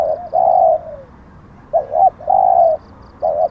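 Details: Spotted dove decoy: a sustained coo fading downward, a short gap, then a wavering note and a long even coo, with another quick wavering note starting at the end.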